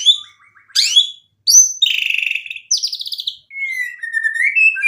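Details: White-rumped shama singing energetically to provoke other shamas into answering; a mix of quick chirps, a burst of fast buzzy trilled notes, then a long slightly wavering whistle.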